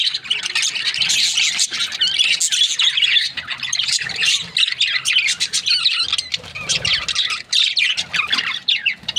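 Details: Several budgerigar breeding pairs chirp together in a busy, unbroken warble of scratchy notes and sharp squawks that stays loud throughout the recording.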